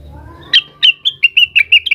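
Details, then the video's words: Agitated blue-winged leafbird calling rivals, giving eight loud, clipped chirps spaced roughly a fifth of a second apart, each bright and slightly buzzy, over a faint low hum. "suara burung cucak wilis gacor, emosi manggil manggil lawan"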